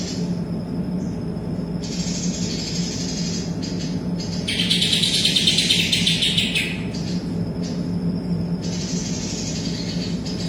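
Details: A greater green leafbird in full song, with kapas tembak mimicry worked into its phrases. Thin high whistled notes lead into one loud, rapid, chattering burst lasting about two seconds, then the thin notes return. A steady low hum continues throughout.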